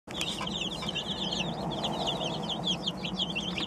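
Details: Newly arrived chicks, a batch of 27 delivered the same day, peep constantly in a dense overlapping chorus of short high chirps, many birds calling at once with no pauses, over a low steady background hum.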